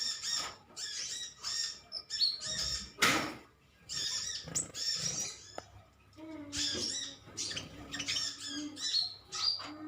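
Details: Metallic green sunbirds in a colony trade chirps with one another. High, rapid twittering comes in bursts separated by short quiet gaps, with a loud rustling thump near the third second and a lower chirp later.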